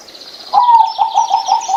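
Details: Zebra dove, a small mostly gray bird kept for its beautiful voice: a drawn-out low coo followed by a quick run of short pulsed cooing notes, over a steady high-pitched hiss or insect-like buzz.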